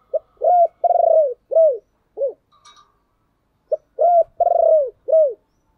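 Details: Spotted dove cooing to lure other doves: two matching phrases of low, hollow coos, each a short note, a longer vibrating coo, then falling coos, about three seconds apart, with a faint click between.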